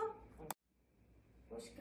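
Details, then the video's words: Pet grey parrot chattering in short, voice-like tones, broken by a sharp click and a brief silence before the muttering resumes. "회색앵무의 부메랑과 수다영상"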